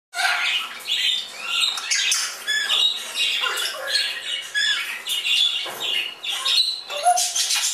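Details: Fledgling Congo and Timneh African grey parrots flying indoors at a shop near Dallas, Texas, giving a continuous din of harsh squawks, whistles and rasping calls from several birds, overlapping with no pause.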